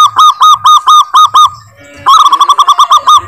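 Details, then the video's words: Local zebra dove singing long phrases: evenly spaced hollow cooing notes, roughly four per second, a brief gap, then a quicker, tighter run of similar notes. "Perkutut Lokal Gacor Bersuara Panjang"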